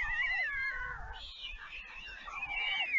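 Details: Young white storks that have returned to the nest at Leemansmolen, Vriezenveen, Netherlands, on 11 July 2022, begging from the parent at feeding. Drawn-out, falling cat-like wails that overlap, then a softer rising cry.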